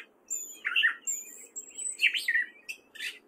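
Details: Gray catbird, a male singing in spring in Fairfield, Iowa: a few brief squeaky, warbled phrases separated by short gaps, with thin high whistles above them.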